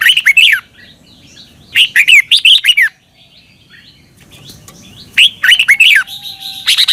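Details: Red-whiskered bulbul song from Thailand, played to caged birds each morning so they learn it quickly: three bursts of rapid, bubbly warbled notes, each burst under a second long, separated by short quiet gaps.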